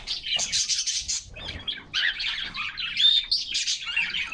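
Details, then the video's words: Caged canaries in summer sun, a group singing together: two dense bursts of fast high twittering trills split by a short pause, with one clear whistled note among them. "Canaries Singing and Playing in Their Cage"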